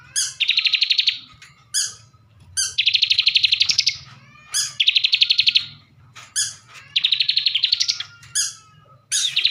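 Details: Captive bar-winged prinia from Slawi, Tegal, Central Java, repeating energetic trilled phrases roughly every one and a half seconds, each starting with a sharp high note; a low steady hum underneath.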